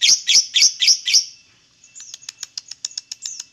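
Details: Lovebird sounds used to lure other lovebirds into singing: five loud shrill chirps in quick succession, then a run of short sharp ticking notes repeated about four times a second.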